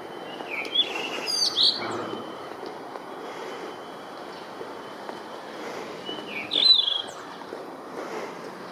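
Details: Blue rock thrush song in two separated bursts of clear, fluty whistled notes, one early and one near the end, each a short rising-and-falling warble, over steady soft outdoor background noise.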